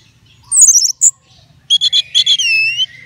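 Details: Orange-headed thrush kept for bird contests, giving a quick descending trilled phrase and a sharp note, then a run of short chirps ending in a long smooth falling whistle.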